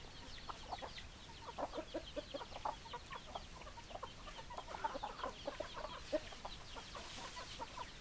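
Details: A flock of hens and roosters giving busy, overlapping clucks: short, choppy notes from many birds stacked together in a constant chattering murmur, with a few louder clucks standing out toward the middle and end.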